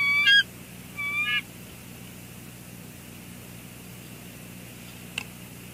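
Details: Bald eagle pair at their nest at Two Harbors on a sunny morning: one perched on the tor, the other sitting in the nest bowl before both take off together. Two brief high chattering bursts a second apart, then quiet with a faint low hum.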